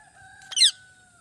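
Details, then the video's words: Rose-ringed parakeet, a molting pet ringneck, gives a single short harsh chirp with stacked overtones, over a steady electrical hum. "Parrot Chirping Sounds | Natural Parrot Sounds | Parrot Calling Sounds"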